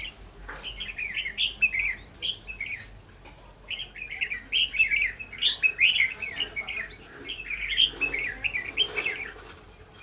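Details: Red-whiskered bulbuls around a decoy trap in Vietnam on 11 November 2018, a wild bird already caught; sustained bouts of quick, bright warbling phrases in repeated clusters, with occasional clicks and low background noise.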